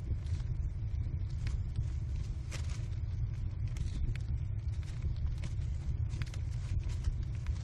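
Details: Low continuous rumble like passing traffic, broken by scattered short scraping clicks; no animal calls are heard.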